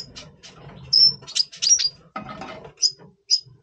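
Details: Red siskin of the double pastel colour form in breeding mood before breeding, November 2023: sharp high chirps and brief whistled notes, a dense twittering burst midway, then two separated bright chirps near the end, with soft low rumbling behind.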